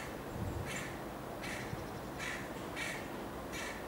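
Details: Juvenile carrion crow with white feathers in Amsterdam, Holland, late July 2013: five harsh, nasal, drawn-out caws spaced under a second apart over a constant low hum of city background noise.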